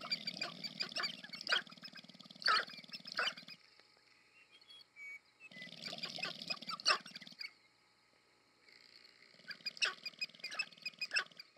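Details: Sharp-tailed grouse (Tympanuchus phasianellus) at a courtship display on the American Prairie Reserve, Montana, USA, in the Northwestern Glaciated Plains. Bursts of rapid rattling stamping come with cooing, clucking and sharp chattering calls, in three loud bouts with quieter pauses between.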